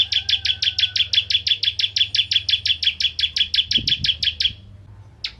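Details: Bar-winged prinia, called ciblek in Indonesia, singing to provoke rival prinias: a long, rapid, even trill of bright high chips at about three per second, then a brief pause and a short restart.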